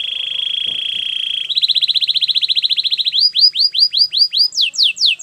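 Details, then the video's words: Belgian canary singing a training song: a steady high whistled trill gives way to a quick pulsed roll, then slower repeated curved high notes, ending in sharper descending sweeps. "Your canary is silent ? turn it around so it will sing a long | Belgian canary"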